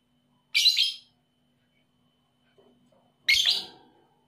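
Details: Lovebird of the 'paud' type in a stimulus recording for birds slow to sing; two harsh, high squeaky chirps nearly three seconds apart, with faint soft chatter just before the second.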